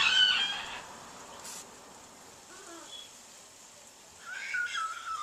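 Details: A large pet bird kept on a back porch, calling persistently on January 4, 2014; harsh, harmonic screeching calls open the recording, a quiet gap follows, then another loud, slightly falling screech near the end.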